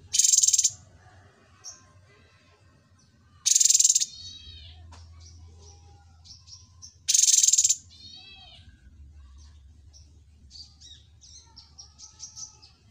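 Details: Cucak cungkok, trained on other birds' songs, gives three loud rasping rattles about three and a half seconds apart, each followed by short curved whistled notes and soft twitters, with a low background hum.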